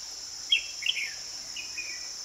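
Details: Song of a red-whiskered bulbul recorded while wild bulbuls were being trapped, 2 May 2020: two clusters of quick chirpy, slurred notes, then softer trailing phrases over a constant shrill insect hum.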